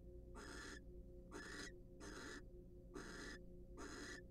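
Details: Courting wild barn owls in a nest box, mid-preening, give loud rasping hisses, five in quick succession with short gaps, steady hum underneath.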